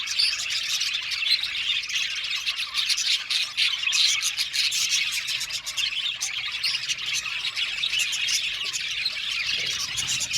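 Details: Many aviary budgerigars calling together: a lively, unbroken chatter of scratchy warbles and sharp chirps, at an even loudness throughout.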